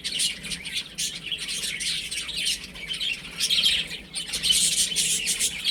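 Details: Baby chicks at home, peeping steadily in overlapping high chirps, the chatter swelling louder toward the end, over soft scratchy rustling.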